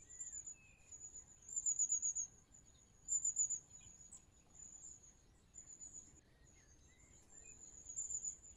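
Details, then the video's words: Long-tailed tit giving its high 'tsee-tsee-tsee' contact call, which keeps a flock in touch as it moves from tree to tree: very high, thin, rapid notes in short bursts every second or so, over a steady high insect-like hiss and a few lower chirps. "Long-tailed Tit Call"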